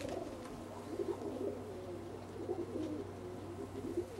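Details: Young pigeon, a baby followed from two weeks to four months of age, uttering low murmured coos in loose repeated bursts roughly every second or so, set against a steady low hum.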